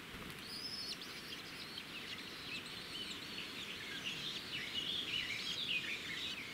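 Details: Red-backed shrike near its nest by a road, 13 June 2016, giving a busy, scratchy twittering chatter of quick high notes, running almost continuously over a steady low background rumble.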